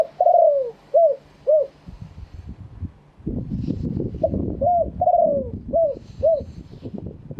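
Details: Spotted dove of wild stock, kept in Thailand, giving a fresh crowing song: clear cooing notes near 600 to 700, three short coos, a pause filled with low rumbling noise, then five more coos in a looser series.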